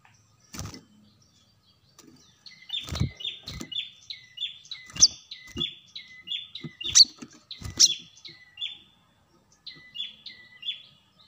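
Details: Brown-throated sunbird sound used to lure birds: a busy run of quick, short chirps sliding downward, bunched into rapid phrases with brief pauses, over a few sharp knocking sounds.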